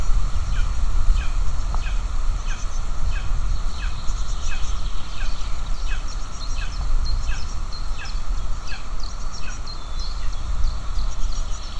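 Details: Two golden eagle chicks beg while being fed at the nest in Estonia on 9 June 2024. Thin, high peeps slide downward, repeated about twice a second, over a steady low wind rumble.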